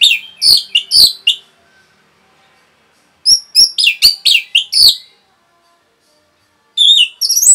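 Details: Orange-headed thrush giving a rapid song meant to provoke other birds: bursts of loud, sharp, high whistled and chattering notes, two quick phrases followed by a pause, then a dense run of repeated notes and a final burst.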